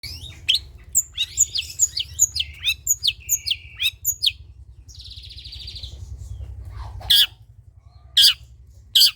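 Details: Long-tailed shrike in lively song, played as a lure to stir reluctant shrikes into singing: a fast run of sharp high chips and short whistled slurs for four seconds, a buzzy trilled note, then three harsh broadband bursts, over a low hum.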